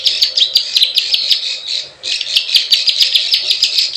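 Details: Plain prinia, known locally as prenjak sawah, calling with quick clicking 'klik klik' notes and buzzy chirps in fast bursts, a brief pause at two seconds, then the rapid sequence resumes.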